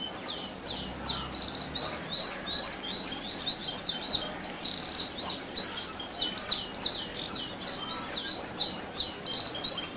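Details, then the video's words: Canary song used to provoke other canaries into singing: high, rapid, repeated chirping sweeps running continuously, fairly even in loudness, over steady background hiss. "Pancingan Kenari Gacor Dor Ngeroll"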